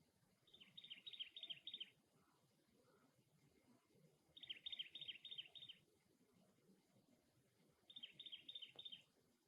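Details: Cactus wren at its nest repeating a harsh, chugging chatter of about six rapid notes in three evenly spaced bursts roughly three and a half seconds apart.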